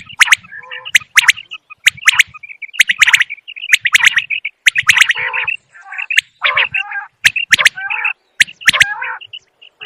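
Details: Wild common quail giving sharp, high, clipped notes in quick pairs and triplets, repeated every second or so, over busy lower chattering from other birds.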